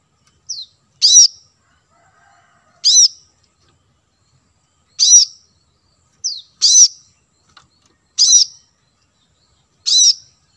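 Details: Plain-throated sunbird lure audio, locally kolibri manggar, meant to draw wild birds near: a steady run of seven high, bright chirps roughly every one and a half seconds, two of them preceded by a quick thin downslurred note. The background is clean.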